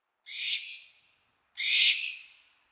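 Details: Barn owl giving its mating sound: two harsh, hissing screeches, each under a second long and separated by a short pause. The first fades gradually, and the second is louder and rasping. No other sounds are heard.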